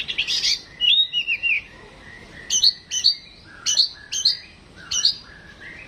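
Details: Home-kept white-rumped shama in a mental test delivers a scratchy opening phrase, then a series of sharp, high whistled notes spaced under a second apart, with softer lower whistles between.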